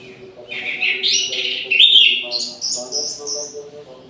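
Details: Orange-headed thrush in full midday song inside an aviary: a continuous, loud stream of high warbling, with rising and falling whistled notes strung together without pause and a soft low hum behind.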